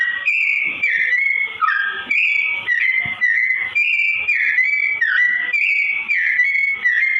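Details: Sooty-headed bulbul giving slow-tone song for straw-headed bulbul training, a chain of fluty slurred whistles, roughly two phrases per second, each with a short downward dip.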